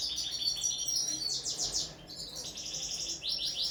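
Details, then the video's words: Common linnet singing on the table in training, a short burst of bright twitters and buzzy trilled phrases with a brief dip between them, soft hiss underneath. "ANIFLA pesma na sto, carduelis cannabina"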